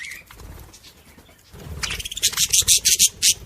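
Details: Budgerigar song meant to stimulate other budgies. Soft scratchy notes give way to a loud, rapid burst of high, harsh chattering pulses in the last half.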